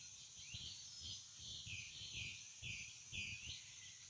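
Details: Florida wading-bird colony at sunrise: thin squeaky notes, each sweeping down then up, repeated irregularly about twice a second by several birds, with low murmuring and constant high hiss underneath.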